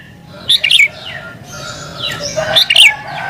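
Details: Sooty-headed bulbul in agitated song used to lure wild birds, two sharp chirp bursts separated by a softer slurred whistle, the second burst louder and rising.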